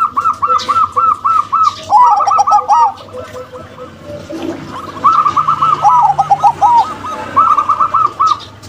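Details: Local female and crossbred male zebra doves sing long chains of rapid, evenly spaced coo notes, broken by rolling, lower-pitched flourishes. Two phrases are separated by a quieter gap.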